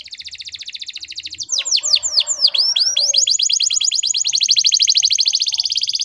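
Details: Lively canary lure song with long rolls, used to help young birds learn to sing: a fast, even, high rolling trill breaks into a burst of sweeping falling notes, then settles back into a rapid steady roll until the end.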